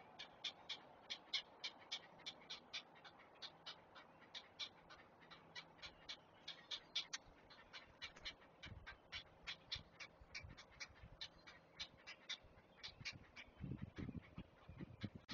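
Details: Great blue heron chicks being fed at their Chesapeake nest, heard through a live nest camera: rapid, steady run of hard ticking clacks, about three to four a second, with low thumps and rustling near the end.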